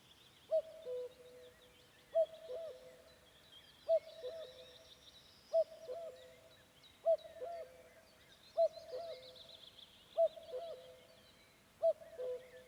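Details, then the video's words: Common cuckoo calling with a slightly unusual cuckooing on a May evening amid the Vändra forests of Pärnu County, Estonia: low two-note hoots, the second lower, repeated about every one and a half seconds, with faint higher birdsong behind. "Kägu. Linnulaul."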